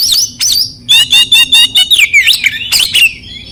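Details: Loud song of an oriental magpie-robin, played to stimulate silent or stressed birds: two bright whistles, then a fast string of sharp repeated notes and a quick descending twisting whistle, with scratchy bursts near the end.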